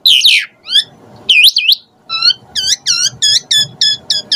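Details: Asian pied starling singing a varied lure phrase: harsh sweeping notes and looping whistles, then a steady series of identical chirped harmonic notes repeated about three times a second.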